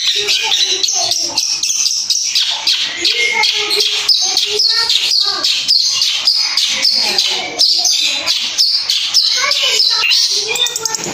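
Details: Long-tailed shrike lure song, played to make any shrike answer and reveal its rich mimicked repertoire; dense, nonstop chatter of rapid high chirps, trills and short whistled notes, with lower warbled phrases woven through.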